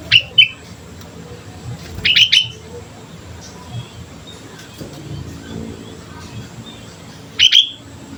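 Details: Lively sooty-headed bulbul song for luring other birds into singing: three short clusters of sharp, bubbly whistled notes spaced a few seconds apart, with faint traffic-like rumble underneath.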